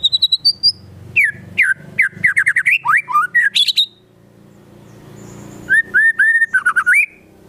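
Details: White-rumped shama singing gacor, in full song, on a training track filled with Konin and Kinoi bird sounds: rapid varied whistled phrases sliding between low and high notes, a pause, then a string of short rising whistles with sharp high ticks above.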